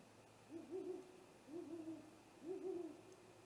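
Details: Great horned owl attacking a great gray owl nest, recorded at night on 30 March 2018 by a live camera; three soft, distant, low hoots about a second apart, each with a wavering, stuttering shape over a steady hum.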